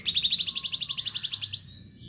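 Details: Sooty-headed bulbul singing vigorously: a fast, even trill of about a dozen high metallic notes over roughly one and a half seconds, ending abruptly, with a low background rumble.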